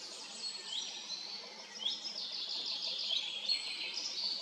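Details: Wood warbler song: fast high trills and thin accelerating notes run together continuously, faint against steady background noise.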